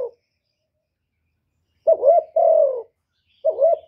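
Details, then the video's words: Spotted dove calling: one full two-part coo, a quavering rise then a long falling tone, flanked by fragments of further phrases in otherwise quiet surroundings. "Cu Gáy GỌI + THÚC + Gù"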